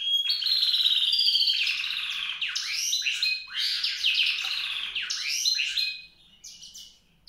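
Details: Fast, twittering high song of a white-rumped seedeater, a continuous jumble of rapid trills and descending chirps that fades out near the end.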